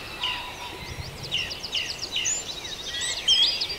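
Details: Farndale dawn chorus: overlapping songs from several birds, with quick high slurred whistles repeated in a steady run, ending in a brighter, louder trill, over constant faint hiss.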